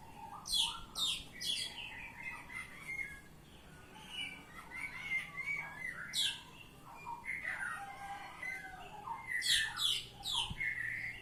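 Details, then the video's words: Oriental magpie-robin in the open, fluent ngeplong song style, mixing harsh buzzy bursts with clear whistled notes and rapid trills in varied, continuous phrases across about eleven seconds. "Kacer Ngeplong"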